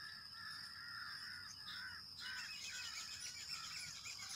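Grey francolin giving harsh, grating notes in quick uneven bursts that thicken toward the end, over a steady high-pitched insect whine.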